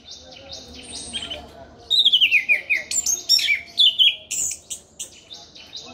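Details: Orange-headed thrush in full, nonstop song, soft high notes giving way to loud descending whistled slurs and sharp, rapidly repeated chirps, delivered in energetic rising and falling phrases.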